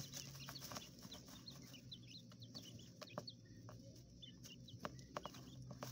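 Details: Coturnix quail chicks raised inside an enclosure in a hotel room in an urban setting, giving many short high peeps, scattered and overlapping, over a steady low hum.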